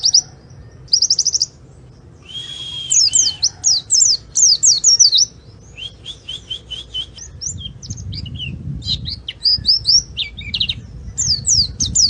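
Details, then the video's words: Oriental white-eye song meant as a lure: scattered high chirps, short twittering phrases and sharp down-slurred notes separated by brief gaps, with a low background rumble in the second half. "Burung Pleci cuitannya gacorr cocok untuk pancingan!!"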